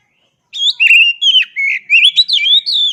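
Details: Kacer delivering a fluid song phrase of clear, wavering whistles that swoop up and down in quick succession for about two and a half seconds, with no background noise.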